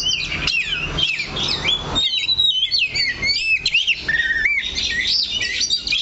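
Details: Kacer (Oriental magpie-robin) on a perch, staying in one spot: a dense run of bright whistled notes, quick rising and falling slurs and high chirps, a loud continuous stream with short gaps.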